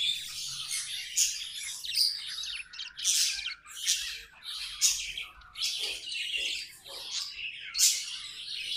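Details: Pet budgerigars chattering: bursts of buzzy, scratchy warbling high in pitch, coming in short runs about once a second with brief gaps between them.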